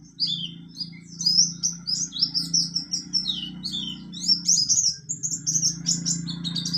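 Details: Buxtoni mountain white-eye performing 'ngalas nembak' song, quick high twittered notes, downslurred whistles and brief trills tumbling together over a steady low droning hum.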